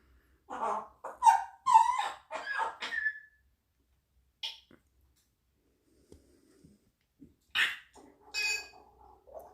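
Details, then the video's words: Pet grey parrot in a small indoor room, described as less talkative. It gives a rapid burst of harsh, chattering, harmonic squawks for about three seconds, then pauses. Later come sharp high squeaks and short whistled notes. "Mon gris et moins bavard"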